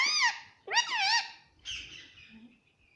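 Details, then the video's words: Pet parrot said to speak "mummy": two wavering, harmonic, voice-like syllables, the second longer and warbling, followed by a breathy rasping sound that fades out. "Talking parrot - Bolne Wala Tota - Mummy Bolne wala tota"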